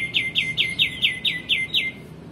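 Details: Male white-eared bulbul singing vigorously, used as a tutor song for training magpie-robins and other songbirds: a steady series of eight bright, downward-slurred notes, each dropping sharply and evenly spaced about a quarter second apart.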